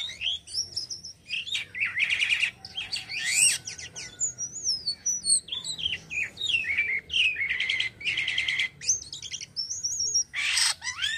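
A cotton myna sings a lively run of clear whistles, slurred notes and harsh, rattling chatter.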